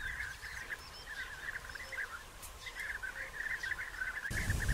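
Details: Colony of European bee-eaters in early June 2021, with burrows still being dug and courtship gifts and matings underway; a dense, continuous chorus of mellow rolling notes, with a brief pause mid-way and a sudden low thump at the very end.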